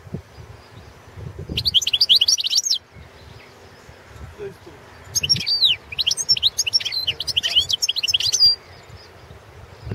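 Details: European goldfinch of subspecies balcanica singing for an internet world championship in goldfinch song: a short burst of sharp, high twitters, then a longer, lively stream of rapid tinkling chirps and buzzy trills over soft background hiss.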